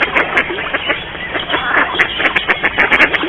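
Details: Several Mallards calling in a courtship display, recorded in a garden at Mikorzyn. Busy overlapping quacks and raspy notes come in quick bursts, with a few brief, sharp clicking sounds between them.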